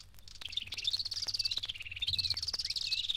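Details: Hunter's Cisticola pair duetting in East Africa: the male gives rapid high trilling and the female fills in a three-note call, bubbling continuously over a low background hum.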